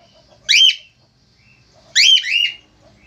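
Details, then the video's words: A male Australian finch gives two loud, rasping, bent squawks about one and a half seconds apart. The second is longer and trails off into a softer note. "FALK AUSTRALIA JANTAN GACOR"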